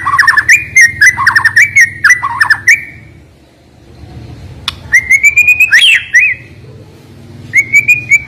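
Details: White-rumped shama with sharp, piercing song fills, used to rouse lazy birds into singing: rapid bursts of bright whistled notes and ringing phrases, a brief lull, then more loud whistles over a low background hum.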